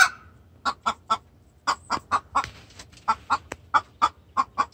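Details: Hen giving a distress call to the rooster, very vocal: short loud clucking squawks near the middle register, repeated in uneven bursts of two to four, about fifteen notes in under five seconds, with low background hum.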